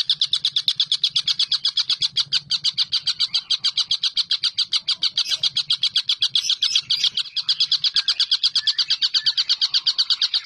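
A young Collared Kingfisher gives a fast, unbroken run of harsh, high 'kek' notes, about seven or eight a second, over a faint low hum.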